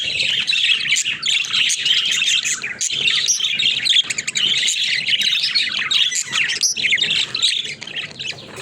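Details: A flock of pet budgerigars playing together in their cage, giving continuous busy chatter of overlapping warbles, squeaky chirps and short squawks with no pauses.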